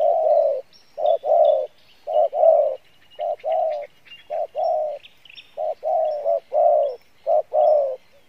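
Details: Wild spotted dove singing in the 'pha bài lối' style, praised for a good voice and fairly strong cooing: low, throaty coo phrases in short bursts of two or three notes with brief pauses, faint higher chirps of other birds behind.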